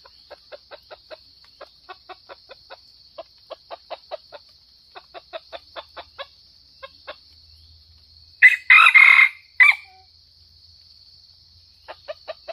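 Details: Red junglefowl, Sumatra, used to lure wild birds: a series of quick dry clucking clicks, then one abrupt rasping crow of three choppy parts, then more clicks, against a steady insect whine.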